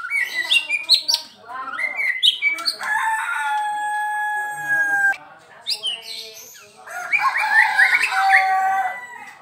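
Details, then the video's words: Caged Medan-type white-rumped shama kept as a daily singer, delivering a varied song: quick chirps and bursts, then long steady whistled tones with harmonics, a short pause, and another run of rich, warbling notes. "MB Medan PASTOL harian RAJIN GACOR"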